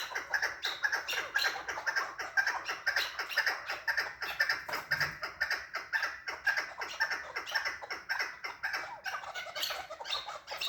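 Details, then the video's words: Excited chukar partridge giving rhythmic, clucking chuck notes at about two per second, steady and regular, each note clipped and hoarse, with a brief low thump near the middle. "КАБКИ маст || Красивый голос Куропатки || KEKLIK SESI"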